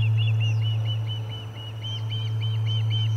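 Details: Osprey at a nest in Charlo on 30 July 2020, commotion around a fish delivery: short whistled chirps repeated about twice a second, each with a slight rise and fall, over a steady low electrical hum.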